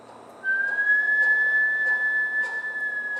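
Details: A pet bush stone-curlew on the Gold Coast, Australia, singing when coaxed by its owner: one long, eerie whistled wail that rises briefly, then holds a steady pitch for nearly three seconds over faint hiss.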